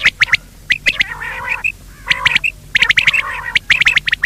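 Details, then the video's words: Quail call in quick bursts of sharp, clipped notes, grouped in phrases about a second long, with lower buzzy chattering between; the calls are labelled as both male and female quail. "Batair ki awaz , Male quail call , Bater ki awaaz,Female quail sound,بٹيرکی آواز"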